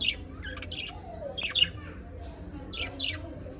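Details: Happy pet budgerigars chirping: short, bright, scratchy high chirps in loose bursts, roughly every second, over a low steady background hum.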